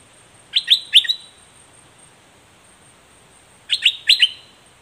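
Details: Straw-headed bulbul in a fierce confrontation with a wild bird gives two short bursts of three bright, bubbling notes each, separated by about three seconds of quiet.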